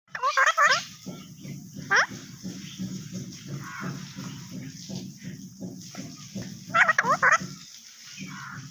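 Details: Pet parrot speaking Urdu/Hindi: squeaky, speech-like syllables and rising whistled slurs at the start, near two seconds and near seven seconds, over a steady low hum of background sound.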